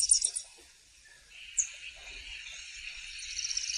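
A grassland yellow-finch sings, starting with a few sharp high chirps and then running into a long, buzzy, twittering trill that holds steady and carries on to the end.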